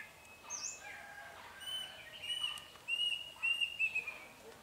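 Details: Caged red-whiskered bulbul decoy set out to trap wild bulbuls, February 2020: short bright whistled phrases repeated several times, rising and falling slightly, with one higher whistle early and soft background noise.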